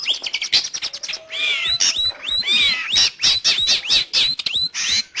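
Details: Long-tailed shrike song, a recording meant for training pet birds or luring wild ones: a rapid medley of high sweeping whistles and short chirps, with arched, slurred notes delivered about once a second.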